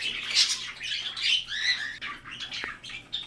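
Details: Two pet budgerigars sharing an aviary with larger parrots; a budgerigar chatters in quick, scratchy high warbles and chirps, rising and falling without pause for about three seconds.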